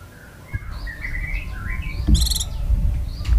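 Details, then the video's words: Sooty-headed bulbul, singing actively in a tutor recording of long-shot song: short warbled whistled phrases of rising and falling notes, followed by a brief buzzy burst and low background rumble. "CUCAK KINOI GACOR TEMBAKAN PANJANG"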